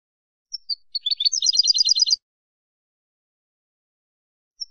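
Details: Campero European goldfinch singing for training captive birds: a couple of thin high chirps, then a dense, accelerating buzzy trill for about a second, followed by silence and one last faint chirp.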